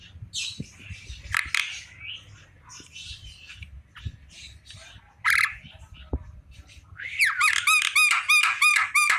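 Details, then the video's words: Afternoon song of a Javan myna, opening with scattered harsh squawks and chattering bursts, then ending in a rapid string of loud, repeated whistled notes. "Burung jalak kerbau di sore hari||suara jalak kebo full"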